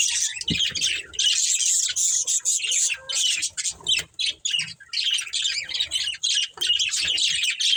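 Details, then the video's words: Chirping from a breeding pair of budgerigars: nonstop harsh, buzzy warbling in quick choppy bursts, with a faint low tap near the start and brief gaps midway. "Cute Budgies Chirping Sounds"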